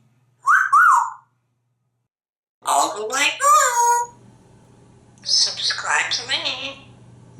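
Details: Pet African grey parrot in Texas, hatched in 1997, in full pre-dinner chatter: a two-note rising-and-falling wolf whistle, then mimicked human speech.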